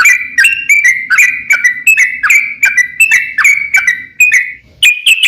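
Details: Yellow-vented bulbul singing, used as a lure for other bulbuls: crisp clicks joined to short level or falling whistles, repeated rhythmically, a short gap, then three higher ringing notes.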